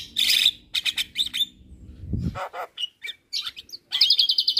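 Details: Javan myna in a cage, a champion singer chattering all day, delivers buzzy bursts, a low rasping note, then a fast trilled rattle at the end.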